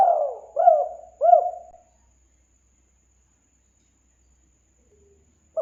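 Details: Lure call of a spotted dove: a fading drawn coo and two short, rounded low notes, then several seconds of silence.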